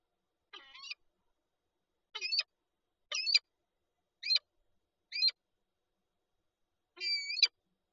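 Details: Nesting peregrine falcons with an egg, Lublin, Poland, 19 March 2022; a series of six short, grating, chip-like calls roughly once a second, the last one longer and fuller, otherwise quiet.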